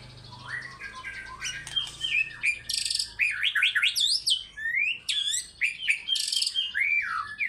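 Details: White-rumped shama delivering lively fighter-style song with its full repertoire: loud, rich, fast-changing whistles, steep up-and-down sweeps and sharp high notes in quick bursts, with barely any pause.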